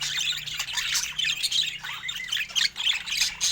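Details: Pet budgerigars during fruit time, a dense flock-like chatter of high, scratchy squawks and chirps, rapid and overlapping with no steady rhythm, continuous throughout.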